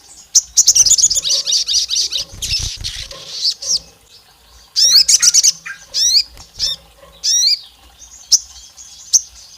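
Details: Olive-backed tailorbird, said to be a female calling the male to stir up rivals: a long run of rapid high chips, a pause, then bursts of sharp upslurred whistled notes and single loud chips.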